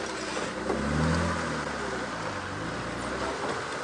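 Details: A safari vehicle's engine revs and drones in shifting low tones under broad road noise, with no animal calls.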